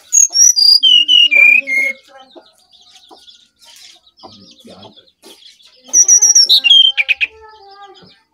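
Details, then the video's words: Brown-chested jungle flycatcher from Bali singing a lively flute-like lure song: two bursts of clear whistled notes stepping down in pitch, about eight notes each, separated by a quiet pause with faint background chirps. "Burung Sikatan Rimba Dada Coklat Bali Gacor Nyuling Untuk Pancingan SRDC"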